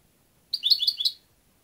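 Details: European goldfinch, a single short burst of tinkling, twittering notes lasting under a second, high and bright, in an otherwise quiet recording.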